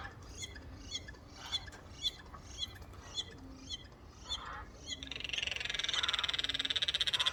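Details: Four Eurasian jays calling together on a windowsill, making strange noises: odd clicking notes about twice a second, then a fast, dry, buzzing rattle.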